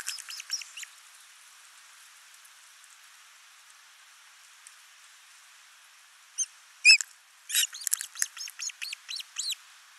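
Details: Osprey nest in Finland watched by camera on 29 June 2024, father delivering a large live fish while the mother feeds the lone chick; hiss and patter at first, then a shrill whistled call followed by a rapid run of thin chipping notes.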